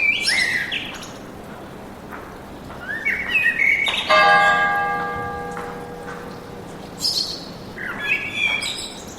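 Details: Forest birdsong: sharp bright chirps and short rising phrases open and close the passage, while a sustained ringing bell-like tone with stacked harmonics sounds through the middle seconds.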